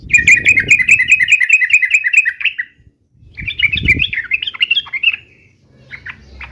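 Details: Yellow-vented bulbul giving an uplik-uplik fighting song: rapid bubbling, warbled notes run together for over two seconds, a pause, then another chattering burst and a few short notes, over faint low rumbling.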